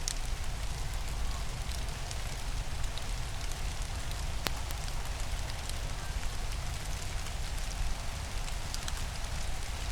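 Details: Steady rain pattering on a surface with scattered sharp drop hits and a low rumble beneath.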